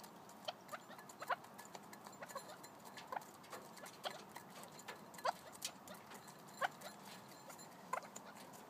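Red-legged partridge giving short, hoarse chuck notes every second or two, spread through the clip, with scattered clicks and faint background noise.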